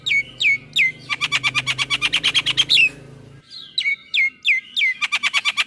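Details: Male Javan myna singing in the morning: clear downslurred whistles repeated about every half second, interleaved with rapid runs of dry, buzzy chirps at roughly five per second; a faint low hum at first.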